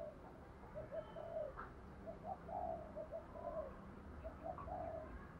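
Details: Spotted dove giving a full cooing song in the mixed 'đồng pha' voice style, played to set wild doves cooing; a rhythmic series of soft, low, hollow coo notes in clustered phrases over steady background hiss.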